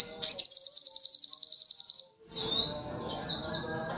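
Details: Little spiderhunter (sogok ontong) singing energetically: a rapid, evenly spaced run of about sixteen piercing high notes lasting two seconds, followed by several slurred descending whistles over soft background noise.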